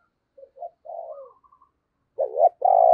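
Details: Decoy spotted dove calling to wild doves: a few soft low notes, then two loud, full coo notes close together at the end.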